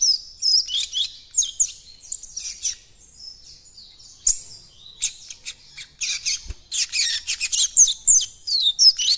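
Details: Developing song of a young Double-collared seedeater (coleiro baiano) learning the encarte: irregular, slurred high phrases, scattered sharp clicks, then a denser burst of rapid twittering toward the end.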